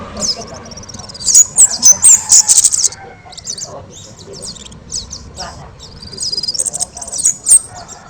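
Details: Kemade singing very loudly and actively, as a model for training other birds: a rapid burst of high, shrill chattering notes, then scattered sharp phrases and a second quick, high trill toward the end.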